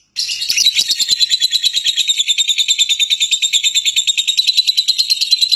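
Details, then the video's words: After a moment of silence, a lovebird bursts into a loud, fast, squeaky chatter of buzzy pulses that continues steadily and shrilly without a break. "SUARA BURUNG LOVEBIRD"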